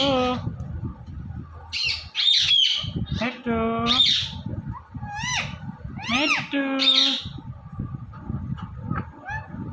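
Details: Indian ringneck parrot talking and dancing, producing voice-like drawn-out tonal syllables, some resembling a cat's meow, mixed with short shrill squawks, over low background rumble.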